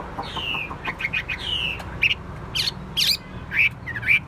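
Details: Chinese hwamei kept in a cage, an untrained bird said to sing and fight well, gives softer drawn-out falling whistles and scattered short chirps against noticeable background noise.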